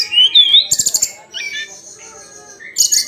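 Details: Hill blue flycatcher daily singing: a bright rising-and-falling whistled phrase, a burst of buzzy high notes, then thin sustained high whistles and a final buzzy flourish.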